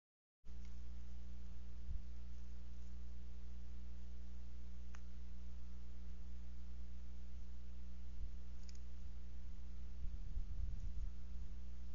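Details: Steady electrical hum with a few faint clicks and low thumps, no animal voice.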